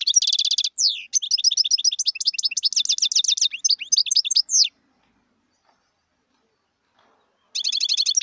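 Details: Wild European goldfinch singing a rapid, tinkling twitter of high, bright notes and buzzy trills, about four seconds long, then a pause of nearly three seconds before another burst of liquid chatter begins.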